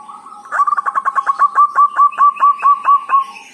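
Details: Javanese zebra dove, local bird, uttering dhuduk or kerot calls used as a lure: about seventeen clear staccato notes, crowded at first and then evenly spaced, each a short punchy coo.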